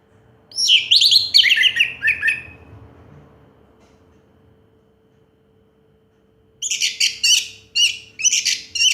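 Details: An orange-headed thrush sings a tutor-style song: a loud, rich burst of descending whistled phrases, a pause, then rapid, scratchy repeated notes, with a faint steady hum underneath.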